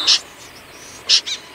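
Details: Common snipe recorded in 2020: two short, harsh, rasping high notes about a second apart, the second followed quickly by a fainter echoing note, over quiet background hiss.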